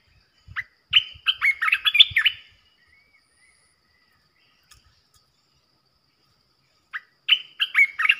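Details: Red-whiskered bulbul acting as a fierce decoy to provoke rival bulbuls sings two lively phrases of bubbly, rapidly alternating whistled notes separated by about four seconds of quiet, with faint low thumps under the first.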